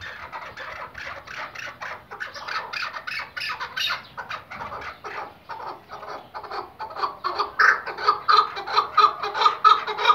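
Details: Iraqi white decoy hunting partridge: scratchy chattering at first, then clearer, evenly spaced chuk notes about two a second, growing louder toward the end.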